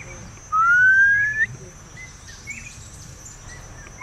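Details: Dark-backed Weaver in Kakamega Forest, western Kenya, one of a nesting pair in a tree, gives a loud, territorial, pure whistle rising gently over about a second, with another starting; possibly feeding young; faint chirps from other birds and a steady high hum.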